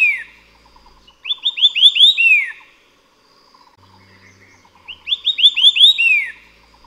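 White-eared Sibia singing a loud, clear phrase of about six rising-and-falling whistled notes, given twice, with faint chattering notes in between.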